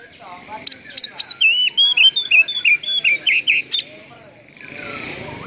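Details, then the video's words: Oriental magpie-robin belting a mimicry-filled stimulation song: a quick series of about fifteen bright whistled notes at a steady pace, ending in a soft hiss. "PANCINGAN KACER ISIAN FULL BUKA EKOR NGOBRA"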